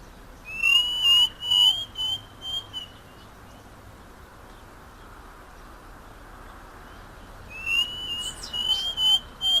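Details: Striped cuckoo singing in Argentina: a series of clear whistled notes on a steady high pitch, about five in the first phrase, then silence and a second run of rising whistles near the end, over a faint background hiss.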